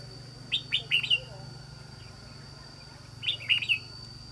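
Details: Trapped wild red-whiskered bulbul of island-forest voice type singing two crisp phrases of four or five clear whistled, slurred notes each, about three seconds apart, over a low steady hum.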